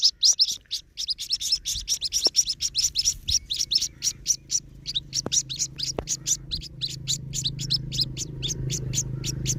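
White-breasted waterhen chick giving rapid, high, thin peeping notes, several per second, in a steady stream; a low hum sits underneath.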